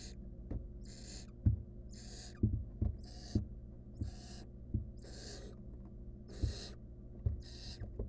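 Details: Wild barn owl chick eating a stolen rodent by itself in a nest box; seven noisy hissing bursts across eight seconds, each about half a second long, with sharp low knocks in between.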